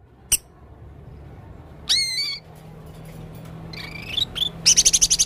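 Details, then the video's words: Male Blue-crowned hanging parrot giving strange sounds: a lone click, then a harsh, nasal, multi-toned squawk, a wavering whistled note, and finally a fast run of about seven sharp, high ticks. "burung serindit jantan gacor full suara aneh"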